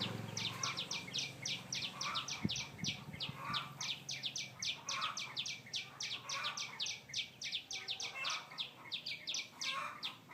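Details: Birdsong: a fast, steady string of sharp, high chirps, roughly three or four each second, over softer mid-pitched warbled notes, with a dull thump early on.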